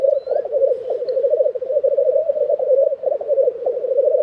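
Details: Lekking black grouse recorded in April 2023 at Tiveden, Sweden, giving an unbroken, rhythmic, murmuring bubbling drone, with a brief thin high call near the beginning.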